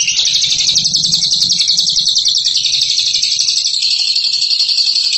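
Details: High, rapid, nonstop chattering from a champion ngekek singer, a dense buzzy rattle of fast notes that shifts slightly lower and smoother near the end, with a faint low hum beneath.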